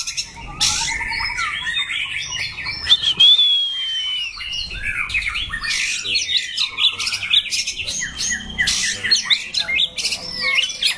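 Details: Male White-rumped shama, a competition songbird with a loud, harsh, varied and enduring voice, pours out rich song: a nearly unbroken run of varied whistles, trills and harsh chattering notes, with one clear rising whistle early on.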